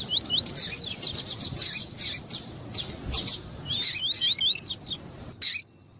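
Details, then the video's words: Double-collared Seedeater (coleiro tuí-tuí) warm-up recording, male answering a calling female to get captive birds singing: repeated quick rising whistles mixed with dense clicking, two song bursts across six seconds. "ESQUENTAR COLEIRO TUÍ TUÍ COM COLEIRO TUÍ-TUÍ E FÊMEA CHAMANDO PARA ESQUENTAR COLEIRO TUÍ-TUÍ"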